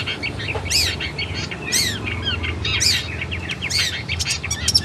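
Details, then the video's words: Long-tailed shrike song used to train caged birds: loud looping whistles that swoop down then up, roughly one per second, mixed with short chips and a faint low background drone. "MASTERAN CENDET GACOR MANTAP"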